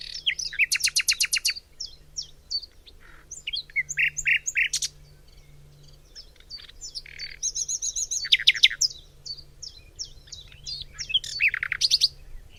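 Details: Nightingale song recorded in spring in a forest at Cologne, Germany: several loud bursts of fast rattling, stuttered notes separated by brief pauses, mixed with clipped whistles and chirps, over a steady low hum.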